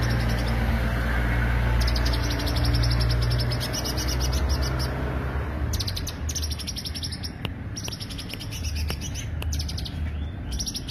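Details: Greater green leafbird lure song: long, fast, high trilled series with scattered sharp clicks, set against a loud low droning hum that dominates the opening seconds.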